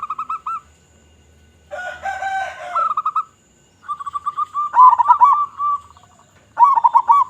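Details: Loud local zebra dove song, used to lure wild zebra doves: short rolling coo strings, a noisy broadband burst, then a long run of rapid beaded notes with a few louder arched coos.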